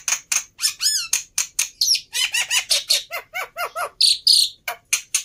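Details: Fighter Black-winged myna in an excessively emotional state, a tutor for mute mynas, giving a continuous stream of loud rasping squawks, bent whistled notes and scratchy chatter, several notes per second with no pause.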